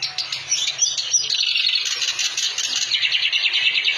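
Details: Clamorous reed warbler pouring out a continuous, high, grating chatter of rapid notes with little variation, against a faint low hum.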